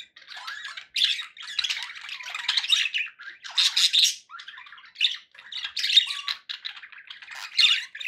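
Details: Pet budgies in a small room keep up a scratchy, warbling chatter in loud bursts roughly each second, with squawks, chirps and a short flat whistle.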